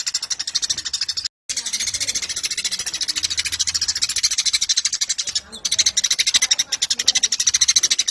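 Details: Long, nearly unbroken chatter from a Eurasian tree sparrow in full voice: fast, scratchy high chirps pulsing steadily several times a second, with only two brief silences.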